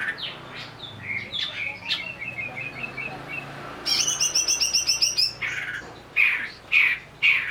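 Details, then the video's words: Agitated greater green leafbird provoked to sing, with a string of short whistled notes, a fast buzzy rattling trill about a second long, then loud scratchy chirps spaced well apart. "pancingan burung cucak ijo agar bunyi sambil emosi"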